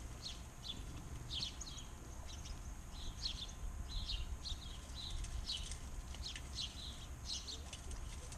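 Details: Backyard birds in Arizona singing; high chirps and short trills repeated through the recording over a steady low rumble of background noise.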